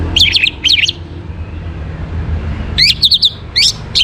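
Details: Orange-headed thrush singing in the morning, two quick whistled, warbling phrases at the start, then after a pause a faster run of sharp, rising and falling whistled notes, over a low steady background hum.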